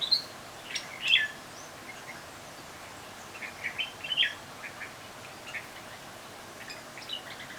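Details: Birds on a balcony, believed to be bulbuls, give short, bright chirps and brief warbled notes at irregular intervals over a steady background hiss.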